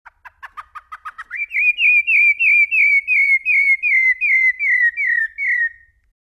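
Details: Rufous-bellied thrush giving a fluted song of the Brumado style: a quick run of about ten short rising notes speeds into a steady series of clear, slurred whistles repeated roughly every half second, with no other sounds.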